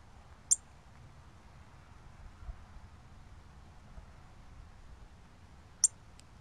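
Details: A cardinal, recorded 24 October 2020, gives two sharp, high, metallic chips about five seconds apart, over a quiet low background hum.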